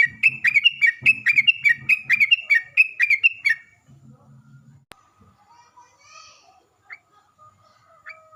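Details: Sooty-headed bulbul (trucukan) song used as a lure to make other bulbuls answer, in gacor, ropel and nggaruda styles: about four seconds of quick repeated bubbly whistled phrases, then faint low murmuring and a few thin tones.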